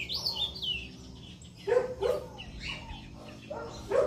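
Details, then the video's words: Ultramarine grosbeak (azulão) singing in northeastern Brazilian style, Limoeiro do Norte, recorded 20 September 2023; a short run of clear whistled notes falling from high to mid pitch, followed by lower barking-like sounds and speech-like noise. "AZULÃO CANTO DO NORDESTE"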